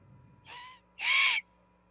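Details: Female osprey with her chick at the Charlo, Montana nest on 26 September 2021 gives two arched, whistled calls: a quieter short one, then a louder, longer cry, over a faint steady background hum.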